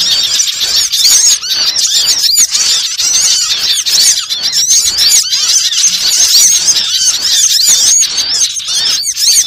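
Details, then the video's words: Trapping lure made of small-bird chatter: countless high, thin chirps overlap into a constant, shimmering twitter with no clear gaps. "suara pikat burung kecil"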